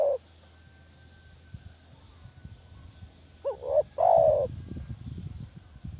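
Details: Village spotted dove lure call used to trap doves: the tail of one coo, a pause, then a single phrase of a quick double coo and a long, smooth, falling coo, with low rumbling noise afterwards.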